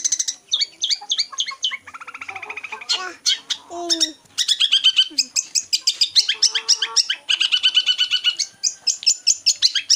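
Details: Cendet (long-tailed shrike), a bird that imitates other species, delivers a busy, varied song. Dense runs of fast chirps alternate with buzzy rattles and a few lower harsh notes, then rapid high trills sweep on without pause.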